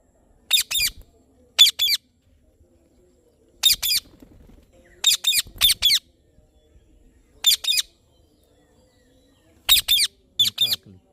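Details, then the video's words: Chirps from an Indian ringneck parrot, harsh high-pitched squawky notes mostly in pairs, repeated irregularly every second or two, with faint background noise between. "Parrot Chirping Sounds / Voice"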